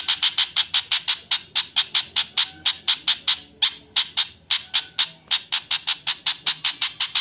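A Javan flycatcher gives a harsh, scratchy alarm, about four clipped notes a second, repeated steadily with no other sounds.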